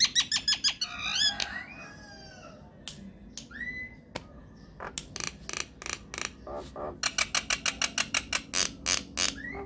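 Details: Lure recording of a myna to make other mynas reply: rapid clicks, a descending warbled phrase, isolated upslurred whistles after a pause, then long fast runs of sharp clicking notes.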